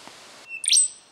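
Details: Rufous songlark singing in Victoria, Australia, in September 2011: a short thin whistle followed by a loud, ringing, explosive phrase capped by a high sustained whistle, over faint background hiss.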